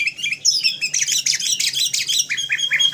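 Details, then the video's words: Sooty-headed bulbul (kutilang kapas) singing a full 'isian' master song: dense, rapid chirps and bright whistled notes tumbling together, ending in a short row of evenly repeated high chips. "MASTERAN FULL ISIAN KUTILANG KAPAS"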